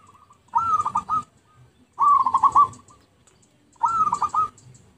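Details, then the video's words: Zebra dove lure recording: three bursts of soft cooing, each a rapid rolling series of mellow notes near one pitch, repeating about every one and a half seconds, with faint background rustle between phrases. "Pikat Merbuk/Perkutut PALING AMPUH"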